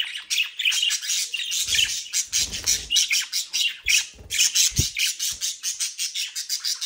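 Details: Mischievous budgerigars kept and bred near Den Haag, South Holland, give rapid chattering squawks and chirps, then faster pulsed chirping toward the end, over occasional low bumps.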